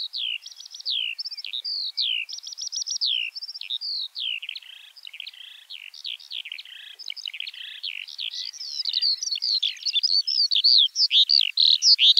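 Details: Long stretch of Eurasian skylark song: tumbling high chirps and trills running unbroken, growing louder and more rapid toward the end, with a quiet hiss behind.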